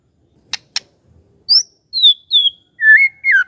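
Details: Magpie-robin song played as a lure to get a silent bird to reply: two sharp clicks, then high, clear descending whistles followed by lower slurred warbling notes, with no background noise.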